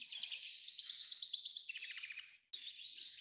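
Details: A singing F1 hybrid goldfinch (pintagol) gives a fast, high twittering warble of rapid bright notes, dipping lower before a short pause and then resuming.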